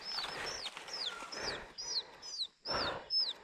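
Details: Captured wild chicken chicks, separated from their hens in the forest. Loud clear peeps fall sharply in pitch, about two per second, separated by brief scuffling bursts.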